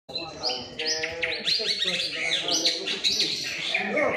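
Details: White-rumped shama performing in a bowing posture while delivering elaborate isian fill-in phrases: rapid, bright whistled and chattering notes sweeping high, densely packed, over a murmur of human voices.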